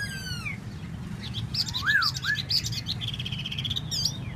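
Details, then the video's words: Tieu mi bird with a high trill, then clear rising-falling whistles and a burst of sharp chattering notes over low background hum. "Tieu mi de ban choi solo"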